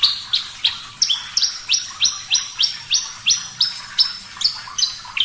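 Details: Javan bush lark, Parva type, in full clear song: bright upward-slurred whistles repeated about three times a second in an even series. Some notes rise from a lower start and others hold high, with no other sounds.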